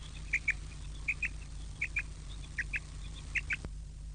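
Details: Quail call for the evening: short paired clear notes repeated at irregular intervals, about twice a second in bursts, over a steady low hum.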